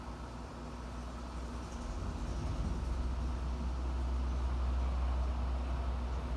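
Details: A deep mechanical rumble builds and holds steady, like a passing vehicle or machinery, with no animal calls.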